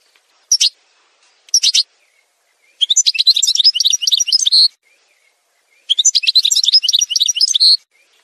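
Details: Algerian goldfinch song from a montage recording: two short sharp chirp bursts, then two rapid twittering phrases of bright, buzzy, jangling notes, each lasting nearly two seconds and separated by a pause.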